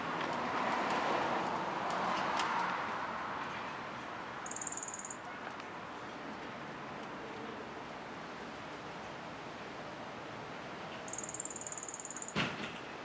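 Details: Yellow-faced grassquit giving two short, very high, thin buzzy trills about six seconds apart, the second longer, over steady wind noise, with a softer rustling breeze early on.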